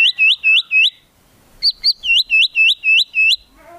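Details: White-rumped shama of the Medan type in full song with imitated cililin and cucak jenggot phrases: loud upswept whistled notes in quick series, a brief pause, then another run of the same rising whistles.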